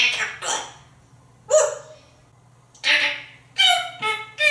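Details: Pet African grey parrot, a talkative male hatched in 1997 and kept in a home in Texas, singing: harmonic speech-like phrases with pauses, some sliding tones, over a steady low hum.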